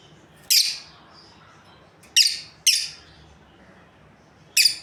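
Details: Lovebirds from a breeding pair uttering four isolated shrill chirps spaced irregularly, the middle two close together, with soft hiss between.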